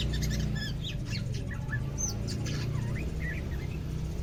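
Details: Caged greater green leafbird on its second day of care, starting to become active, gives a varied run of short whistled notes, sharp chirps and upward-hooked slurs, with a steady low hum beneath.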